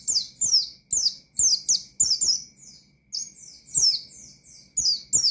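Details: Oriental white-eye, singing in 'ngalas' style to stir up rival birds, pours out continuous high chirpy whistles, each note sliding downward, repeated rapidly with tiny breaks, light clicks in the background.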